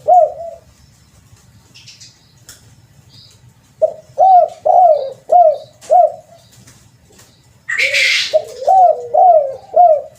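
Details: Spotted dove call used as a lure: low, mellow cooing phrases, each a soft rising-then-falling coo, repeated in a run of four and again later, with a brief harsh rustle or flap midway and a low hum underneath.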